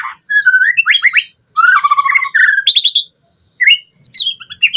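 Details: White-rumped shama song recorded as a lure for captive birds, with rich warbling whistles, quick trills and harsh accents, broken by a short pause before more sliding notes.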